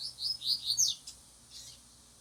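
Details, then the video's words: Double-collared seedeaters kept as cage birds and trained to sing facing one another. A rapid run of bright, high, slurred notes lasts about one second and is followed by a softer fading note. "coleiros treinando cantar de cara"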